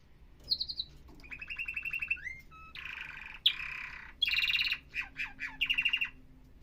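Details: Softer canary song of varied phrases: a brief high whistle, buzzy trills, slurred notes and rapid chips over faint background hiss.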